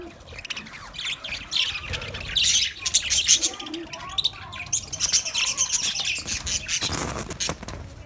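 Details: Chattering budgerigars in a colony: layered high, buzzy chirps and squawks build into a loud, continuous flock warble, with a short rustling burst near the end.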